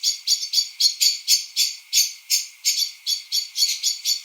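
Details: Common blackbird in an English garden at dusk, November 2020, gives a rapid run of sharp, metallic chink notes, about four a second, high and insistent. Seemingly an alarm call, though owner suspects it may just signal going to roost.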